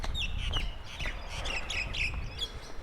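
A kookaburra cackles in the distance, a run of harsh, rapid chuckling notes, over a low rumble of traffic and wind.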